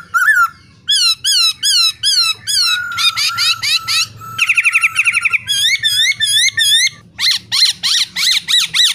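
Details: Male laughingthrush singing alongside female calls, played to stir caged birds into song: a fast run of loud, varied whistled and slurred phrases, each repeated several times before switching, over a faint low hum.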